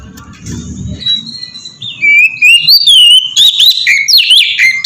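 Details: Oriental magpie-robin song in ngeplong style, intended as a lure for other magpie-robins. A faint low rumble and soft notes open, then loud rising and falling whistles with sharp chips take over.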